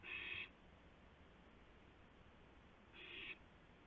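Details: Night owl calls at 2:51 AM on 2 April 2016, one owl bringing a gopher to another: two short rasping, breathy screeches about three seconds apart, with faint low hum between them.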